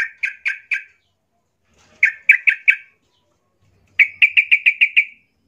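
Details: Yellow-vented bulbul in aggressive song, seeking a rival: three short bursts of rapid, bright chattering notes separated by pauses. The last burst is longest, about six fast repeated notes.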